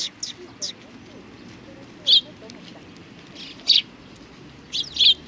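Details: Sparrows greeting a visitor at a Tenmangu shrine, 3 July 2020, give isolated sharp chirps every second or so over a soft background hum.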